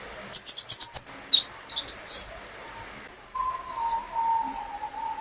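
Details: Captive olive-backed sunbird singing as a lure: a quick rattling series of about seven high notes, a few chirps, then softer high notes over a long, lower, steady whistle.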